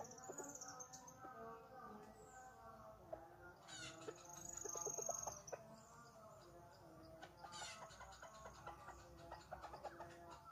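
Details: Jungle chickens being sought for capture give rapid, irregular clucking with stacked harmonic notes throughout, a louder burst near the middle, and bird calls and busy forest noise around them.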